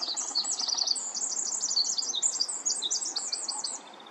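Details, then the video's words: Pacific wren singing in San Francisco, California: a tiny, energetic bird delivering a long, loud, rapid cascade of high tinkling trills and chattering notes, running continuously for about four seconds before fading, with little background noise. "PACIFIC WREN - singing"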